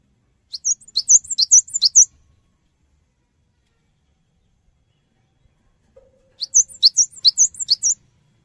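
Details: Cinereous tit singing as a prompt for other birds to reply: two short bursts of quick, high, sliding chirps separated by several seconds of quiet.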